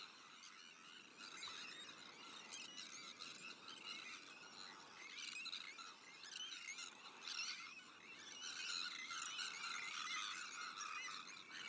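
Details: Sandwich tern breeding colony, shared with black-headed gulls, Arctic terns and common terns: a dense chorus of harsh, grating, overlapping calls, with louder bursts every second or two that swell toward the end.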